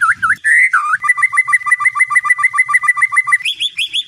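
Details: White-rumped shama song used as a night training lure for Indonesian contest birds: looping whistles, then a fast run of about twenty repeated two-part notes, ending in higher whistled notes.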